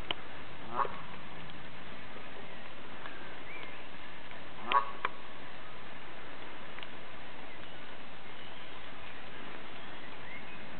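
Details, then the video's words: Pet female Canada goose coming to its keeper to recount its woes; brief honking notes near the start and again around five seconds in, with scattered faint clicks and a constant low hum beneath. "Mon oie bernache du canada"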